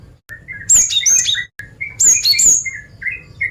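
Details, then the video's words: Female cinereous tit calling for males. Two phrases of bright, high, downward-sliding whistles, with softer, lower chirping notes scattered between and after them. "Suara Gelatik Batu Betina Gacor Mancingan Jantan"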